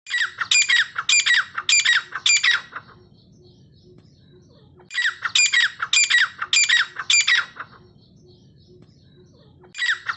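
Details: Grey francolin (dakhni teetar) calls repeated continuously for training birds: loud, harsh, ringing phrases of about five rapid notes, two full bursts each lasting about three seconds, separated by quiet pauses, with a third starting at the end; faint low hum underneath.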